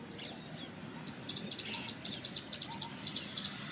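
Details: Plain prinia singing from a forest tree branch: a rapid, even series of short, high, ticking notes repeated several times a second through the whole stretch, with faint background noise.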